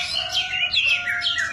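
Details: White-rumped shama lure song, meant to provoke other shamas into singing vigorously: dense, continuous stream of sweeping, bright whistled notes rising and falling at high pitch, over a steady lower hum.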